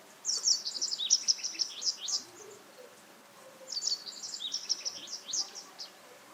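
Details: Japanese Wagtail giving two bursts of rapid, high, thin chirps, each lasting about two seconds and separated by a short pause, against a quiet background.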